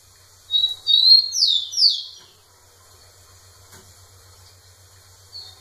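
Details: Rufous-collared sparrow singing to a female; one short phrase of high whistled and descending notes early on, then quiet with a low steady hum.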